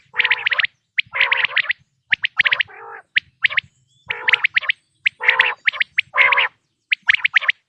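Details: Quail calls, natural sound for hunting in the 2026 season: repeated clusters of crisp, clipped high notes and wheezy, nasal harmonic bursts, spaced by short silences.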